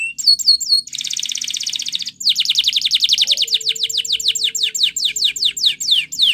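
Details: Training song of a Spanish Timbrado canary: brief looping notes, then a fast metallic trill lasting about a second, followed by a long rhythmic series of sharp falling whistles, steady and high, over a quiet low hum.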